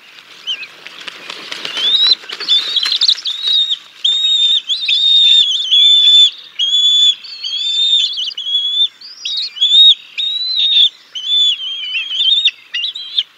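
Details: Feeding time at a bald eagle nest, 6 May 2022, the adult male delivering fish to the chicks; after some rustling, a long run of piercing whistled chirps repeats about once a second.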